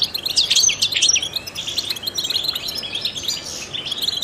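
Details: Trained European goldfinch giving a burst of sharp, closely spaced chirps, followed by softer, steady twittering at high pitch, sung to stimulate other songbirds.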